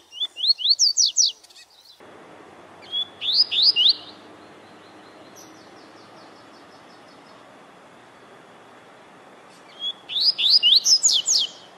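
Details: Rusty-collared seedeater warming up to sing: three bursts of fast, sharp rising-and-falling whistled notes, each burst about a second long and high-pitched, separated by pauses over a steady background hiss.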